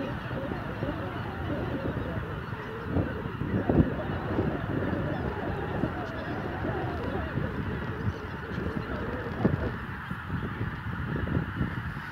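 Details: Large flock of greater white-fronted geese in south-east Romania, 5 December 2017: a dense continuous chorus of overlapping honking and yelping calls with no pauses, steady throughout.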